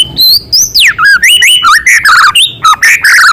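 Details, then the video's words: Rich, loud white-rumped shama song with filler material of small-bird sounds: high whistles, a steep downward slide, then varied warbled and twittering phrases in quick succession. "Murai gacor materi isian suara burung kecil"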